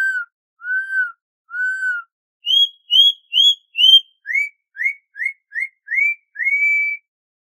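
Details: Campo troupial (corrupião) of Brazil performing the canto clássico dobrado style: low arched whistles, then a run of higher whistled notes, then quick rising whistles that end in a long held tone.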